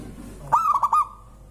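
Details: Zebra dove of local stock giving a single song phrase that sets other birds singing: a sharp attack, then three bubbling coos at one even pitch, with a faint low hum before it.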